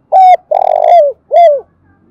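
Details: Spotted dove decoy bird cooing in the morning to lure wild doves: three loud, low cooing notes, the middle one long and throbbing, each falling slightly at the end, in a quiet room.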